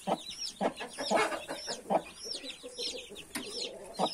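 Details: Hen with a brood of 31 freshly hatched chicks; about eight short, throaty clucks spaced unevenly, with high, sweeping chick cheeps filling the gaps.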